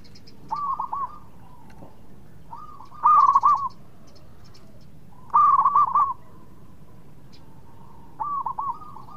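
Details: Zebra dove of a local type, singing as a lure to draw quick answers from rival birds; four separate bursts of rolling, bubbling coos, two of them loud and two softer, spaced a couple of seconds apart.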